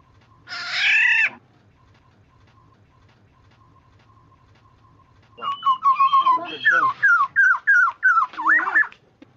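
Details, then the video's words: Black-naped oriole calling as a lure: a harsh, nasal mew, then a quiet gap, then a rapid run of chattering, fluty notes, about three per second. A low hum sits beneath. "Suara burung kepodang"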